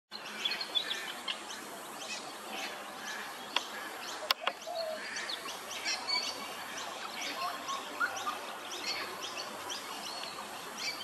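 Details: Brown honeyeater song at Hervey Bay, Queensland: a steady stream of quick, bright chirps and short whistled notes, fairly high-pitched, over a soft hiss of background noise.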